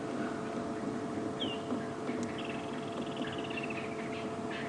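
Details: A francolin takes off in a rush at sunset on 2 February 2016, on an African safari, apparently frightened by something: a fast, high chattering run of about ten notes a second over a steady low engine hum.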